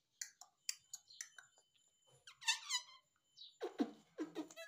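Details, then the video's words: Talking pet parrot indoors, known for saying mummy and papa, makes a busy run of clicks and squeaky notes, then a bright stacked harmonic call and several lower, rough, voice-like syllables. "Mummy boluga papa boluga _ Talking Parrot _ papa mummy bolta mitthu"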